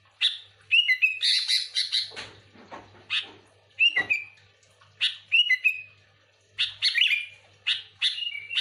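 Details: Sooty-headed bulbul in lively, full song, used to lure other bulbuls: bursts of bubbly, slurred whistled phrases, each under a second, repeated with brief pauses, plus a few scratchy chattering notes; a faint low hum underneath.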